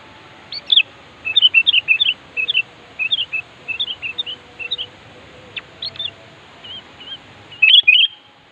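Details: Sooty-headed bulbul, singing vigorously to call a rival, delivers a long chattering run of short, bouncy whistled notes over steady background hiss and a low hum, ending with a louder cluster.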